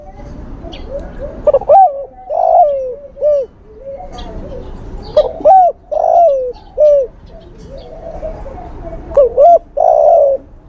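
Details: Male spotted dove calling to a female, a lure call: many overlapping hollow coos and stuttered notes in a busy run, with a long rough coo closing the passage and faint higher chirps above.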